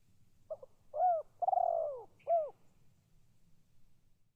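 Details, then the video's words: Spotted dove calling close by: stuttered short notes, a clear coo, a long rolling downward coo and a closing coo, with a faint brief higher chirp after it. "Suara tekukur memanggil"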